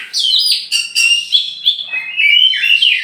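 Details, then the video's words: Champion oriental magpie-robin, a tame bird from Meulaboh, Aceh, released free before caging, sings a continuous run of bright high whistles with quick slurs and rising-falling notes, no pauses. "kacer juara yg bernama predator di lepas2 liar dulu sebelum di gantang"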